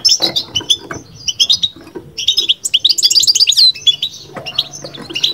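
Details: Caged European goldfinch giving a babbling-style song: fast, high, scratchy twitters and tinkling trills in uneven bursts with brief pauses, plus a clicking, thumping low background of cage noise.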